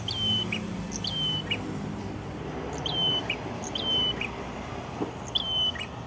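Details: Prinia singing near Kedungprahu village, Ngawi, East Java, Indonesia: a series of high, flat whistled notes, each closed by a quick downward chip, repeated roughly every second with brief gaps, faint background rustle.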